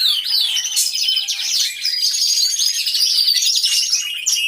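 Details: Numerous canaries singing together inside an aviary, picked up by a hidden camera: fast continuous warbling and rippling trills, high and busy, with sharp rising chirps scattered through.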